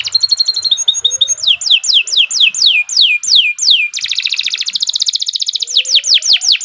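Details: Canary in long, continuous song used as a tutor recording: repeated high descending sweeps in quick series alternate with fast, buzzy rolled trills and a soft rising whistle, all very clear.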